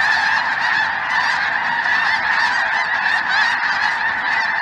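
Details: Large mixed goose flock overhead in southern Indiana, 23 January 2023, chilly afternoon: some snow geese with greater white-fronted geese and possibly Ross's goose. Thick wall of overlapping barking honks, individual yelps rising and falling within it.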